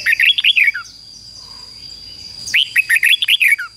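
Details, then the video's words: Red-whiskered bulbul kept as a decoy to call in wild birds, singing two rapid warbled phrases of rising and falling whistled notes separated by a quiet gap, with a constant faint high whine behind. "Chào mào mồi hót gọi bổi"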